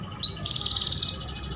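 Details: Female canary calling to coax a male to sing: one bright, high trill of rapid pulses lasting under a second, opening with a sharp rising note and fading off.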